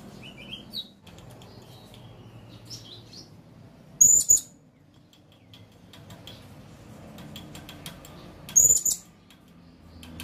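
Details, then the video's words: Blue-crowned hanging parrot calling, meant as a lure and tutor recording for young birds: two shrill, very high squeaky calls about four seconds apart, with faint softer chirps early on over a quiet background hum. "Suara Burung Serindit Memanggil"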